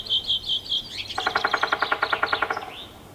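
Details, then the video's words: Male three-toed woodpecker drumming on trees in a Yekaterinburg forest park on 25 May 2018, in warm weather after finishing a new nest hole. A few high chirped notes come first, then a rapid, even roll of about fifteen strikes over roughly one and a half seconds. "Когда дятлу делать нечего он по дереву стучит"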